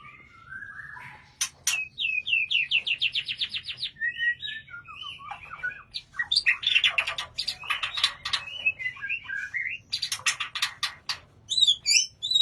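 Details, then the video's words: Caged white-rumped shama in an aviary delivers a loud, energetic song of sliding whistles, quick trills of repeated notes, harsh chattering bursts and high sharp chips, nearly nonstop over twelve seconds. "Punya Murai Batu Segacor Ini"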